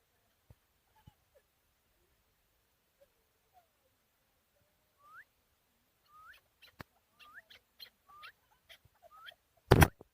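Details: Chukar partridge, four years old, raised from a chick, Tajikistan, 2021: soft faint notes, then a series of short rising slurred calls about every half second, with sharp clicks and a loud bang at the end.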